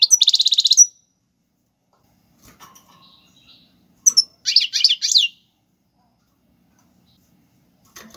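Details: European goldfinch singing in tiwawati galoubi and serfati song styles, recorded for tutoring young birds: a fast, even metallic trill of rapid repeated notes, then a pause and several jangling twittered bursts, with faint soft notes between.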